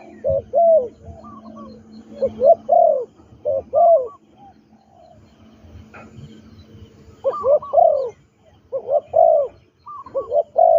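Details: Spotted dove, a trained captive decoy bird for ground luring, delivers clusters of low rounded coos, falls quiet for about three seconds, then resumes with a run of repeated coo phrases.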